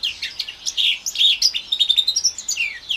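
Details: Orange/brown house finch x canary mule from 2021, around four months old, delivering a short burst of slurred warbles followed by a rapid series of clipped, repeated chirps.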